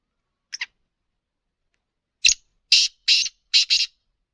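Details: Black francolin (kala teetar, 'speeder' chakri wala type) calling: a short double note, a pause, then a quick series of four harsh, scratchy bursts, two of them doubled, in otherwise clean silence.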